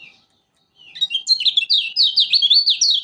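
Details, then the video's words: Lombok kecial kuning, the Lemon-bellied White-eye, singing as a lure for sluggish birds: after a short pause, a high twittering song rises into a continuous run of quick, bouncing warbled notes. "Burung Kecial Kuning Lombok Rajin Bunyi"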